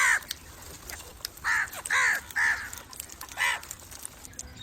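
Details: Crow calling with five or six loud, grating caws, mostly in a rapid cluster mid-clip, each short and hoarse.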